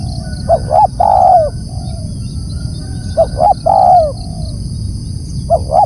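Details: Loud spotted dove calls, two full phrases and the start of a third: two brief low coos then a longer wavering coo with a soft trailing note, accompanied by a steady high whine and low rumble.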